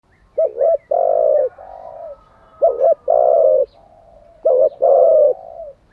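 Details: Decoy spotted dove cooing, used to train wild-caught and decoy doves. Three phrases, each a short doubled note and then a long, low, steady coo with a softer trailing hum. Quiet background.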